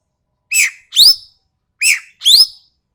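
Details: Harsh, sharp paired calls of the common green magpie from Sumatra, made as a tutor recording: a rasping falling note snapped straight into a piercing rising note, the pair given twice, on a clean quiet background.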